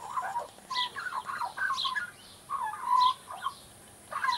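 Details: Baby Australian magpie warming up its song with chortling, fluty phrases and a longer held whistle near the middle, delivered in uneven bursts with short gaps.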